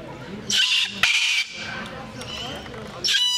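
Three harsh, grating squawks from a blue-and-yellow macaw, each under half a second, with quieter chatter-like sounds between them.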